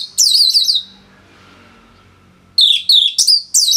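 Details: Singing Orange-headed thrush, North Bali, a tutor recording for other songbirds: a loud run of rapidly wavering high whistles, long silence, then four quick trilling, warbled phrases.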